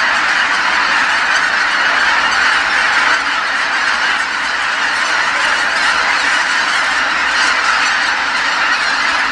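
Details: Evening return of geese to Kabukuri-numa marsh once the sun drops behind the mountains, tens of thousands calling as they fly in from feeding; relentless massed honking, a few higher cries poking above the dense chorus.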